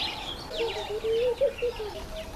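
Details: A laughing dove courting a female utters one soft, low, gurgling coo phrase of quick stepped notes that rises slightly and then drops, with light background chirps.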